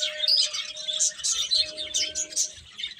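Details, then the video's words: Birds chirping loudly in quick shrill bursts, accompanied by a steady low hum that stops and restarts, a second tone joining it. "Cute Birds Chirping Sounds"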